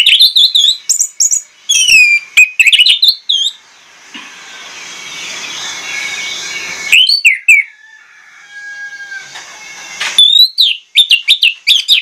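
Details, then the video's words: Orange-headed thrush lure song, loud and insistent, showing off its varied song material. It gives bursts of sharp whistled and slurred notes in quick, changing phrases, with quieter hissy pauses and a faint level whistle between bursts. "PANCINGAN ANIS MERAH PLONG NGOTOT BONGKAR ISIAN"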